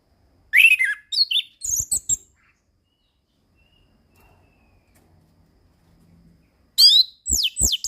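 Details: Kept orange-headed thrush (anis kembang) in steady song, used to tutor other birds: short bright phrases of sweeping whistles and chirps open the recording, then a long quiet gap before another rich, rapid burst of twisting notes.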